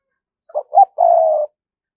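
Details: Spotted dove used as a lure, cooing in the thúc gù style: two short low notes followed by one longer, drawn-out throaty coo, with nothing else audible.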